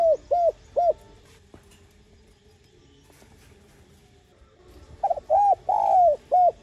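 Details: Spotted dove cooing, used to attract wild doves and stir decoy birds: three short hollow coos, several seconds of quiet, then a phrase with a long falling coo and a final short note.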